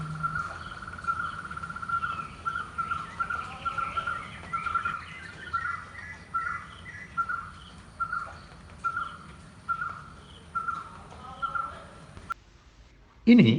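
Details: Barbet in Kerala, India, a tree-dwelling fruit eater, gives a steady run of low, hollow, repeated notes, about one or two each second, over faint background hum, ending in a sudden knock.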